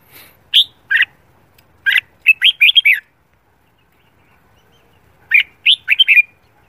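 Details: Red-whiskered bulbul singing in the morning, a voice-training recording for song competition, gives two bursts of quick, liquid whistled notes, each phrase five or six notes long, separated by a few seconds of near silence.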